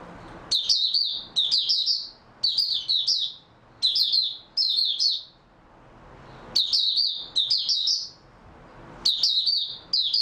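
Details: High-pitched song of an oriental white-eye, 3 March 2022: fast, jumbled twittering phrases about a second long, delivered in quick clusters with short quiet gaps, against a faint steady background hiss.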